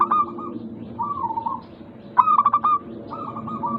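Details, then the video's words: ['Song of a local zebra dove, used as a lure for doves that are slow to sing: soft descending coos interleaved with one loud stuttered phrase of rapid pulses that runs into a held coo.'] "Pancingan Burung Perkutut Lokal ampuh untuk mengatasi malas bunyi"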